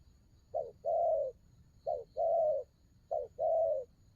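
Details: Spotted dove giving a coo style known locally as 'đồng gù rước': a short low note followed by a longer, steady hollow coo, the pair repeated three times about every 1.3 seconds against a quiet background.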